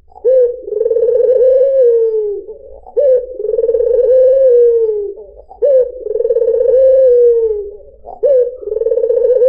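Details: Lure song of a white dove (puter putih): deep, vibrating coos in a steady cycle, each starting with a clipped note and stretching into a long trilled tone that gently drops.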